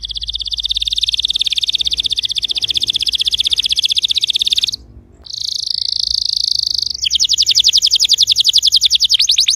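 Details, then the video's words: Canary singing, intended to trigger a quiet canary: a long even rapid trill, a brief gap, a buzzy held tour, then a faster bright trill. "PUTAR VIDEO INI JIKA KENARI ANDA MACET BUNYI"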